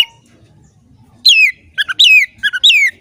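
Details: Oriental magpie-robin in vigorous song: three loud whistled phrases, each sliding steeply down from high to lower pitch, given about once every half second after a quiet start.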